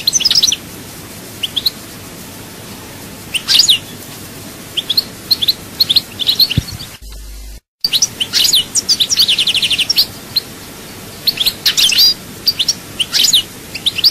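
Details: European goldfinch, Souk Ahras chaayba song: sporadic high chirps and twitters, a brief dropout to silence midway, then a liquid trill followed by more spaced chirps.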